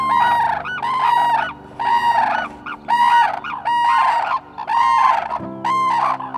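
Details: Red-crowned crane in Hokkaido in mid-winter, giving advertisement calls of the courtship season: loud, ringing bugled notes, about one per second in a steady series, over a faint low hum.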